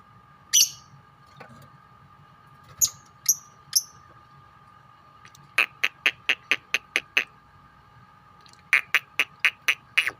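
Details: Lovebirds, four birds of different colours, chattering together: a few shrill squeaks followed by rapid trains of sharp ticking chirps, about four a second, against a low steady hum.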